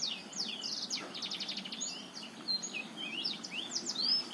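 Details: Black-throated canary of the Botswana type singing, a recording meant to prompt a quiet male into song; fast high twittering with a rapid buzzy trill of repeated notes in the middle, then sweeping whistled slurs, over a low background hum.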